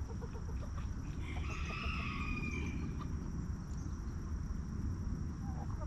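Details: Backyard rooster in a homestead coop giving a drawn-out, somewhat distant crow of about one and a half seconds while hens cluck softly, over a steady low rumble.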